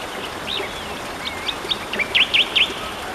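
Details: Tektekreyod singing in the wild: a few thin upslurred whistles, then three sharp V-shaped chirps in quick succession near the end, all over steady rushing stream noise.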